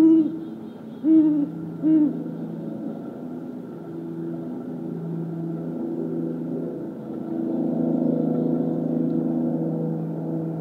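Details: Wild great horned owls in woods on January 28, 2022, one perched high in a tree, calling back and forth: three deep hoots in the first two seconds, then quiet with a steady low rumble of background noise.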